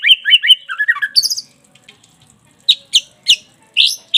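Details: Caged white-rumped shama song used to spur another bird into singing: quick tumbling whistled phrases descending in pitch, followed after a short gap by sharp high squeaky notes repeated about every third of a second.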